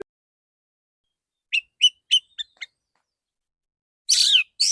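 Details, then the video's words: Male white-rumped shama, a kept songbird, producing a quick run of five short whistled notes followed by a loud harsh buzzy burst. "Terapi burung kacer jantan dor dor tembakan full suara ngeplong jernih"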